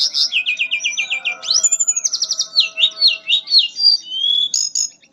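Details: Fluting nyuling song of a mangrove blue flycatcher: a fast run of repeated high trilled notes opening into a loud rising whistle, then varied slurred phrases with quick rhythmic pulses, about four notes a second.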